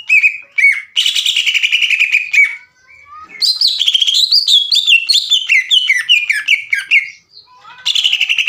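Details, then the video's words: Greater green leafbird, likely caged, giving long rattling trills like a sewing machine to stir other leafbirds into song. Rapid chattering runs alternate with wavering, rising and falling whistled phrases. "CUCAK IJO GACOR NGEKEK PANJANG DAN TEMBAKAN MESIN JAHIT"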